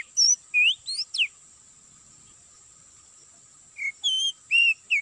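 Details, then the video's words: Oriental magpie-robin song used as an MP3 bird-trapping lure in an oil palm plantation: clear, varied whistles, some rising and some falling, in two quick bursts a few seconds apart, over a steady high insect-like whine. "Pikat burung Kacer"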